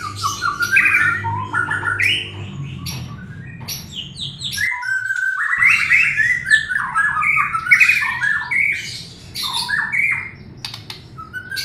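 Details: White-rumped shama song serving as a lure for a bird reluctant to sing: long, dense, varied song of rapid whistled and slurred notes with harsh squawks and chips, pausing briefly midway before continuing.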